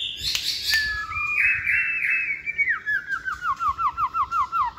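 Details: Caged white-rumped shama singing on a table in the multi-voiced 'giọng dây' style: sharp clicks, then a long steady whistle, followed by a rapid series of short downslurred whistles, about six per second, repeated evenly.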